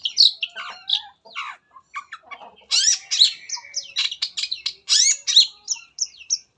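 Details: Shrike song used to prompt other shrikes to sing: a fast, varied medley of sharp chirps, harsh squawky notes and short whistles in rapid bursts, with brief pauses between phrases.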